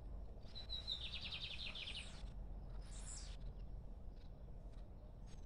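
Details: Free lined seedeater singing one clear phrase: a thin whistled note, then about eight quick, descending, buzzy notes over roughly a second and a half. A short hiss follows, then low rumbling background.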